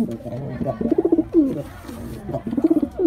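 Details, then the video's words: A male white pigeon gives low, throaty rolling coos in bursts about every second, each swelling and falling in a soft burbling rhythm. "Pigeon Sound Effect male pigeon Super Performance"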